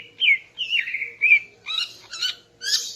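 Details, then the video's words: Female greater green leafbird singing in the morning to arouse a male: clear whistled notes sliding down, then buzzy rising phrases, about one note burst every half second, quiet background. "Kicau Burung Cucak Ijo Betina Pagi Hari untuk Naikkan Birahi Cucak Ijo Jantan"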